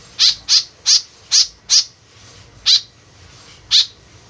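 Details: Lure call of a white-breasted woodswallow (kekep babi), an eager caller: five rapid harsh, grating notes in quick succession, then two more after longer pauses.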